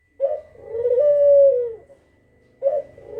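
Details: Kugeruk lure call: a husky opening note sliding into a long, mellow, slightly falling hoot, then the next call starting after a brief quiet gap.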